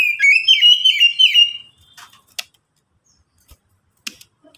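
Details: Oriental magpie-robin singing, a lure recording meant to get other magpie-robins singing fast: a rapid run of bright warbled whistles for under two seconds, then quiet with a few sharp clicks.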